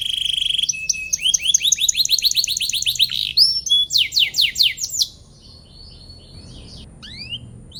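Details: Canary singing a long song meant to provoke lazy or rival birds into singing back: rapid series of rising swept notes repeated several times a second, steady trills, then quieter scattered upslurred chirps near the end.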